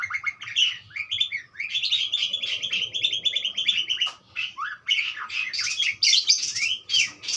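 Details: A long, continuous budgerigar warble of rapid, grating chirps and squeaky whistles, briefly pausing midway, then resuming with higher sharper notes.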